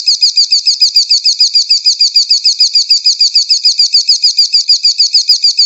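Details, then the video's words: White-rumped shama producing a sustained, highly regular trill of identical looped notes, about three per second, loud and continuous throughout. "Serba Murai!!! weihhh kicaunya murai ini luar biasa"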